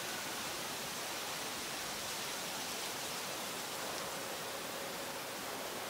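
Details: Steady broadband hiss like rushing water or rain, with no animal calls.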